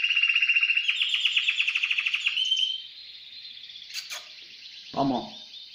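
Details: Timbrado canary held in a cage since the previous night sings a fast pulsed trill that smooths into a level buzzy tone, followed by a couple of clicks and a brief human voice.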